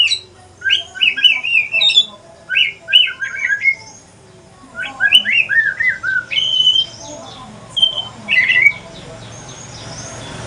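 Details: Very talkative male Aceh pastol white-rumped shama sings quick bursts of jumbled, buzzy warbled notes in clusters. The clusters are separated by short gaps, and clearer high whistles come near the end.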